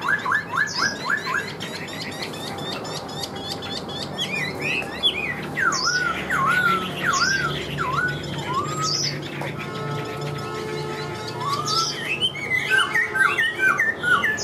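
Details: Caged Chinese hwamei from Vietnam, praised for singing tirelessly when hung out. Rapid series of upslurred whistles, then drooping looped notes and mixed high chirps against background hum.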